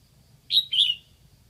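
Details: A single short phrase from a Lạng Sơn decoy red-whiskered bulbul calling for wild birds: a clear whistled note followed by a longer, richer note sliding downward, with only a quiet low background hum.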